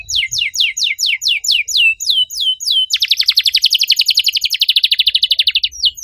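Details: Caged canary singing, used as a lure to prompt silent canaries to sing: a series of falling whistled sweeps, then a fast dense trill of rapid buzzy notes, then a few more sweeps.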